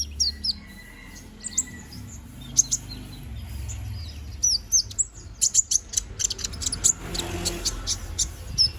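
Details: Young konin bird, bald while its feathers grow back, chattering: scattered high twitters at first, then a quickening burst of sharp, piercing chirps.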